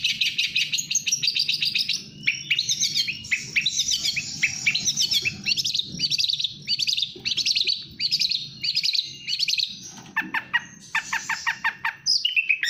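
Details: Long-tailed shrike, kept bird, in rapid continuous song: dense scratchy chatters and high whistles, later short harsh repeated rattles, over a steady low hum in the background.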